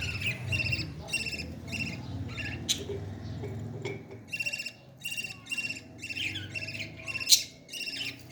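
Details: Parrot chick begging while fed, a sequence of short, harsh, buzzy harmonic calls with irregular spacing, interrupted by a few sharp clicks and soft low handling noise.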